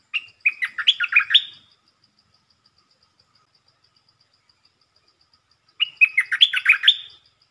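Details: Red-whiskered bulbul used as a lure bird, singing quick, short songs: two bright, chattering phrases of rapid whistled notes rising and falling, each about a second long and separated by several seconds of silence.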